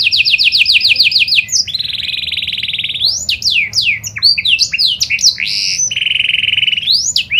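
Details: Singing canary (kenari panda) used as a lure for other canaries: rapid repeated chirps open into a long buzzy roll, followed by varied steep whistled sweeps and a final sustained rolling trill.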